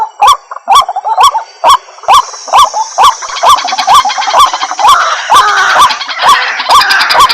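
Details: White-breasted waterhen (Amaurornis phoenicurus) lure call used to attract the birds: loud, nasal, hooked croaks about twice a second, each with a sharp click, with a harsher chorus building beneath them toward the end.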